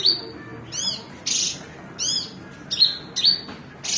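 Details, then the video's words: Horsfield's bush lark giving a varied phrase: sharp high whistles alternate with harsher, buzzy bursts and arched rasping notes, separated by short pauses. "New Branjangan bird excelent"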